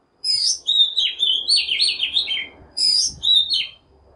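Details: Lure Oriental magpie-robin song meant to provoke wild birds and stir young birds into morning singing. It has a long run of bright, fluty, warbling notes that rise and fall, a short pause, then two more clear whistled phrases.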